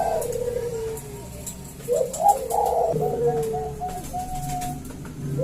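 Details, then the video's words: Male Bangkok zebra doves call back and forth. Blurred, overlapping coos and short slurred notes mix with a faint background murmur, with no clean rhythm. "Perkutut Bangkok gacor suara panggilan dua perkutut Jantan saling Bersahutan"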